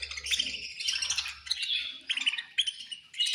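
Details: Several budgerigars chirping at feeding time, rapid overlapping twitters and sharp high notes in bursts, with soft low rumbling in the background.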